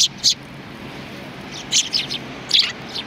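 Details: Three short clusters of bright, high sparrow chirps, roughly a second apart, from sparrows at a Tenmangu shrine, with quiet background noise between them.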